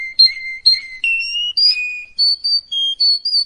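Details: Canary tutor song for young canaries: pure whistled notes, some held level and some sliding upward, strung together about three per second with no other sounds.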